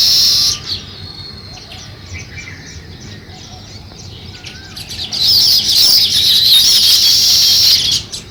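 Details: Sparrows starting nest construction chirp loudly at first, fall to faint, sparse notes for several seconds, then return with a strong burst of dense chattering.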